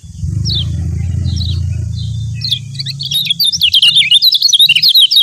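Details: A yellow white-eye of Lombok sings a rapid run of high, thin, twittering notes, building into a busy chattering stream; a low rumbling hum fills the first three seconds.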